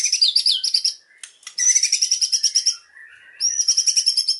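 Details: Rapid high trills from a white-rumped shama, delivered in fast repeated pulses, broken by a short pause and a soft lower whistle.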